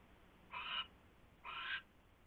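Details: Nest-camera owl, 12:43 AM on 27 January 2016, during delivery of a huge rat to the nest; a pair of loud, harsh hissing bursts, each roughly a third of a second, follow each other within one second.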